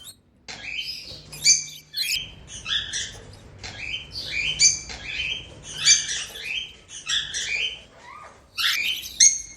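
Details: Pet African lovebirds with unclipped wings, flying freely, chatter in a steady stream of shrill, high chirps and squeaky twitters, several birds calling over one another without pause.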